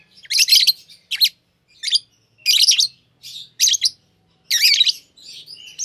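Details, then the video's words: Green Fischer's lovebirds, a pair, sing in irregular bursts of loud, rasping high chirps, roughly one burst every second. "Lovebird Singing & Chirping Sounds - Green Fischer Pair"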